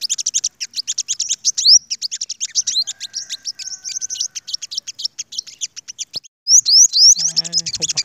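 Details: Sunbird flock squaring up to dominant leaders: long unbroken stream of quick, high, clicking chirps with occasional rising slurred notes, a short gap near the end, then sharp upswept calls and a low rumbling noise.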